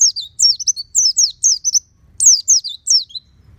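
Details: Caged oriental white-eye kept at home, singing with open beak: rapid high thin twittering phrases of sweeping downslurred whistles, delivered in quick bursts with a brief pause before a final burst; faint low rumble underneath.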